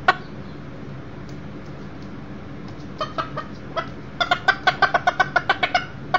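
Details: Indoors on 7/6/13, with a one-year-old Millefleur d'Uccle beta rooster visiting and a broody hen with chicks nearby: a few scattered soft clucks, then a quick run of about a dozen short, sharp clucks near the end.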